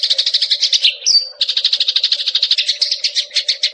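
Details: Eurasian tree sparrow song for songbird training: a quick run of scratchy chirps, one clear higher whistled note, then steady repeated chirping notes about four per second.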